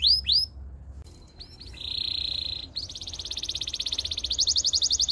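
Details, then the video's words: Canary singing a training song: rising whistled slurs, then a steady sustained high tone, followed by a fast trill of rapid notes that speeds up and grows louder. "The best canary sounds!! Canary training"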